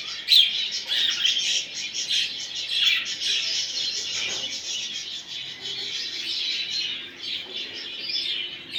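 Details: Budgerigars played to encourage a male to mate: dense, continuous high warbling chatter from several birds, with overlapping chirps, twitters and short squawks running without pause throughout.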